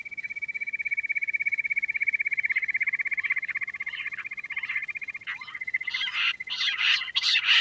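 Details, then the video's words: Quail producing a long, rapid, even pulsed trill at a steady high pitch, later overlaid by loud harsh buzzy bursts. "Queen quail sound || Lohari ka Awaaj"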